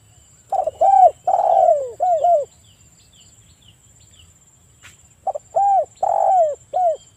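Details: Provoking spotted dove calls for breeding-condition birds: two phrases of hooked, mellow coos, each with a drawn-out burry note sliding downward, split by a three-second pause, with a faint high whine behind.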